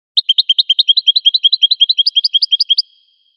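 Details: A wild American goldfinch sings a bright, fast string of about twenty-five short high chirps, evenly paced, gradually rising slightly in pitch toward the end.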